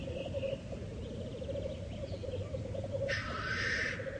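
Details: Black grouse at the lek: a continuous low, pulsing bubbling chorus runs throughout, with a harsh hissing burst near the end and faint higher calls in the background.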